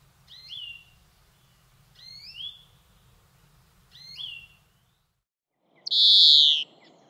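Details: Córdoba greenfinch giving three similar rising, slurred notes at roughly two-second intervals over a low hum, ending with a loud, harsh burst of noise.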